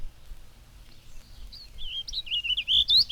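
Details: Warbling Vireo singing in a maple in spring: a hesitating, hurried warble of slurred high notes run together in one continuous phrase, rising at the end; faint background hiss.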